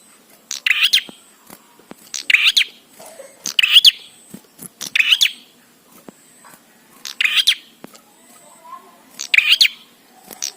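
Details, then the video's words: Bar-winged prinia delivering a run of loud, scratchy chirped phrases with an upward lilt, about one every one and a half seconds, played to make prinias sing quickly. "Prenjak Gacor Suara Ampuh💯% BIKIN PRENJAK CEPAT BUNYI"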